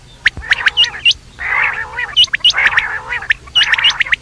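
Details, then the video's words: Quail heard at night: clusters of sharp, high, hooked notes alternating with longer grating chatter, with a faint low hum behind. "batair rat wali awaz"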